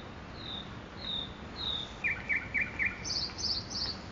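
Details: Nightingale song recorded in a park. A few drawn-out high whistles lead into four quick, sharp, slurred notes at a lower pitch. A rapid burst of high, rattling notes follows, all over a steady hiss of background noise.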